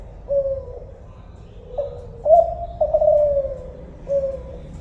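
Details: Mellow coos from a spotted dove, called tekukur Kelantan: a soft lead note, then a louder phrase of sustained tones gradually falling, and a final quieter coo over low rumble.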